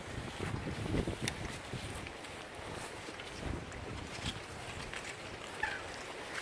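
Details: Night owling walk in Orotina, Costa Rica: quiet footsteps and rustling over a soft background hiss, with no clear animal calls.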